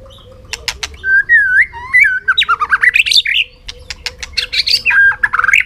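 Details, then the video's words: White-rumped shama in a singing contest on a sunny afternoon, pouring out a long run of varied whistled notes that slide up and down, mixed with sharp clicks and rapid chattering phrases, over a faint steady hum. "chòe lửa căng lửa hót đấu siết nắng chiều"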